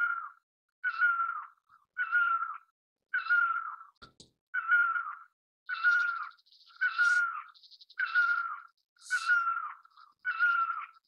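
Great Barbet giving a loud, mournful, cat-like wailing note, repeated about once a second, with faint higher chirps in the background.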